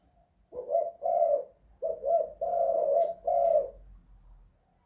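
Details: Spotted dove inside a house giving one cooing phrase: short low coos building into a longer sustained coo, with faint clicking and a soft low hum beneath.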